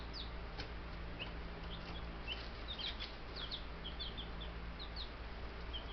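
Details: Buff Brahma chicks, ten babies in a bird yard, keep up a continuous chorus of short, high, descending peeps in loose bursts, backed by a low mechanical hum.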